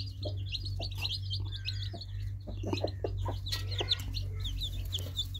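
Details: Baby chicks chirping together: continuous high, wavering peeps from many birds, mixed with scattered soft knocks and a persistent low hum.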